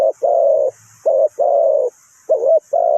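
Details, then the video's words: Spotted dove serving as a trap decoy, Ninh Thuận, calling in low, full coos: long even notes alternating with shorter ones and one quavering note, roughly one every second. "นกเขาใหญ่สายต่อดิน,The Sound Of the dove"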